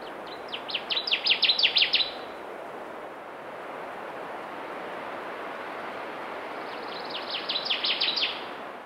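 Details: Connecticut Warbler singing from high up in tamarack trees in a Minnesota bog: two loud chanting bursts of rapid, repeated high notes, each about one and a half seconds, separated by roughly five seconds, over steady broadband background hiss.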